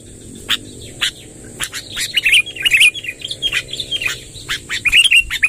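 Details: Sooty-headed bulbul, a lively bird: sparse clicks at first, then loose sequences of bright warbled chirps growing busier toward the end, over a steady high hiss.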